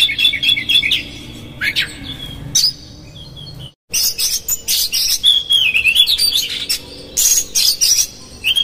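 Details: Oriental magpie-robin singing a 'konslet' song with rough fill-ins as a lure to agitate another magpie-robin: whistled warbles and sharp chirps, a brief cut to silence near four seconds, then long wavering whistles and squeaky high notes.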